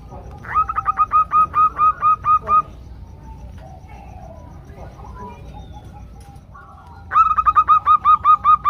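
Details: Female zebra doves together, calling to a male to prompt him to sound. Clear runs of about ten sharp, repeated coo notes, pausing for several seconds with faint calls, then another quick run begins.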